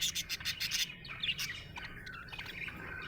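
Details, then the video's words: Budgerigar chirping happily: it opens with a run of loud, rapid scratchy bursts, then eases into softer twittering warble notes. "Happy budgie chirping sound"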